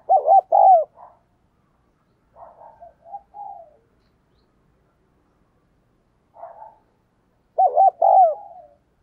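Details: Decoy spotted dove cooing at speed to lure wild doves: a loud rolling, wavering coo phrase, softer short coos in the middle, then the loud phrase again, with silence between.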